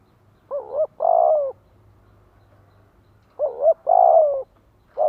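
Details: Decoy spotted dove cooing to lure wild doves: paired phrases of a quick double coo followed by a longer rolling coo, repeated after a silent gap of about two seconds, low and mellow.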